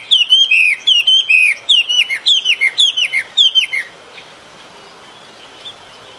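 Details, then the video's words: Singing bird in a natural setting: paired downslurred whistles repeated in a steady rhythm, about two pairs per second, for nearly four seconds, then silence apart from faint hiss. "Chim hót."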